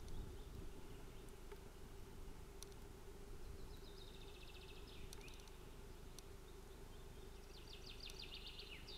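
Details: Nest-camera recording of Osprey scuffling at the nest in Finland, 25 June 2018: two faint runs of rapid high chirps midway and at the end, a few clicks, and a continuous low hum.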